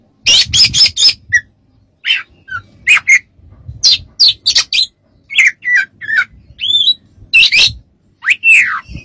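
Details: Oriental magpie-robin performing a varied tutoring song: a quick run of scratchy, squawking notes, then wavering whistles and rising slurs, delivered in dense, almost continuous phrases.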